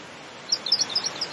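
A pink robin gives a quick run of thin, high, ticking chirps lasting under a second, over a steady background hiss.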